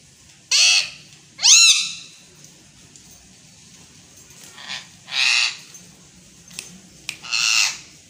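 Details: A talking Indian green ringneck (rose-ringed parakeet) gives four harsh, raspy bursts of speech-like chatter in Urdu/Hindi over eight seconds, the second one sliding with a ringing, voiced tone.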